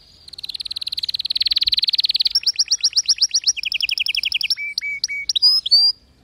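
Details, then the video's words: Canary singing as a tutor for non-singing or weak-voiced canaries: a long rolling buzzy trill building over two seconds, then rapid clipped high notes, followed by slower separate whistles and a few falling slurs. "اذا عندك كناري لا يغرد أو ضعيف الصوت أتركه يستمع اهذا الغناء"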